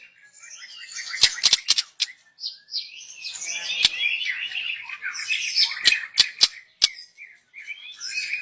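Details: Young wild forest white-rumped shama, its song meant as a lure, delivers a long continuous high warble of squeaky twittering notes, punctuated by repeated sharp clicks.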